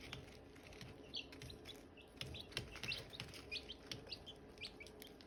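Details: Silkie chicks chirping beside hatching eggs: rapid, irregular short high peeps, nearly three per second, some doubled, interspersed with light clicks over a quiet hum.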